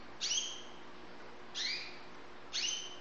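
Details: White Syrian canary youngsters from Saudi Arabia, described as high-level birds, give three sharp upward-sweeping chirps about a second apart, high and clear with ringing overtones, over a soft steady hiss.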